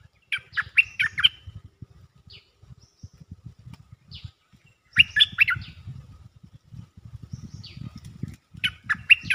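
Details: Cream-vented bulbul mating call, looped: two busy bursts of quick, bubbling, warbled notes a few seconds apart, with scattered thin high notes between them and steady low knocking underneath.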